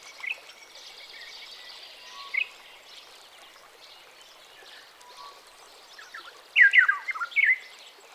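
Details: Ethiopian Black-headed Oriole (Oriolus monacha) giving a few short, harsh, slurred notes, then a quick burst of rough, squawky calls near the end, over a steady background hiss.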